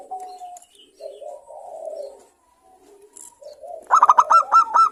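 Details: Local zebra doves in a noisy exchange played to provoke other doves into song: soft, low murmuring coos at first, then after a pause a loud run of rapid, staccato cooing notes near the end.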